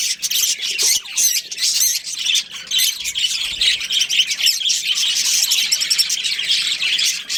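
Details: Many budgerigars from a colony with a breeding pair chattering nonstop, shrill buzzy chirps and trilled warbles overlapping throughout.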